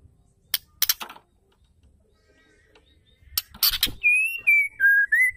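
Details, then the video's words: Calls of a female white-rumped shama, meant to rouse male shamas to sing: rough rasping bursts, then a pure whistled sequence that steps down and rises again in short linked notes. "suara murai betina gacor"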